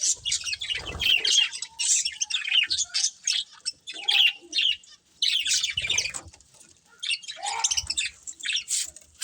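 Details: Budgies chirping as a family: bursts of bright, rasping warbles and squeaks broken by short silences, with occasional soft low bumps in the background.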